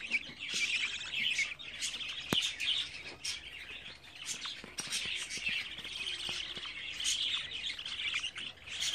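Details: Pet budgerigar chicks at 24 days old calling steadily: dense rasping chatter with brief high chirps and scattered clicks, voices overlapping without pause.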